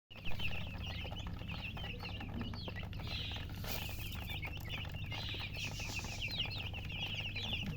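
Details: Just-born chicken chicks chirping loudly as a crowd: dense, overlapping high, short peeps that rise and fall quickly, sounding almost nonstop over a steady low hum, with a brief burst of noise near the middle.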